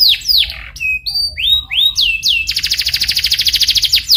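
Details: Canary song used as a lure to prompt another canary to sing in a rolling style: loud whistled notes and sharp downward sweeps, then a fast, even buzzing trill repeated about fifteen times over the last one and a half seconds.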